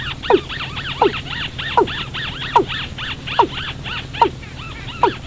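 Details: Lure for trapping birds at night with watercock calls: falling notes repeated roughly every three-quarters of a second, set against a thick chorus of arched, nasal overlapping calls.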